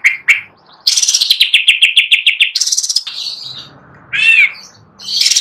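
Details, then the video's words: Greater green leafbird (cucak ijo) on a perch stand: two clear chirps, then a long, fast, buzzy trill of repeated notes, a harsh downward slur, and a final noisy burst. "Cucak Ijo Gacor Nagen (nyawan di tangkringan)"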